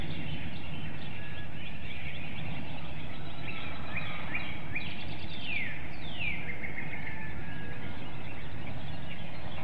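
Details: Wild female bald eagle at a nest webcam in Hanover, Pennsylvania, calling at dawn on 4 April 2019 for her mate to take over nest duty; a few high, thin descending chirps against steady loud background noise.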